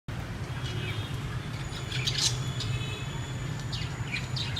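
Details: Budgerigar (Melopsittacus undulatus) flock in an aviary chatters in short, high chirps and warbles over a steady low rumble.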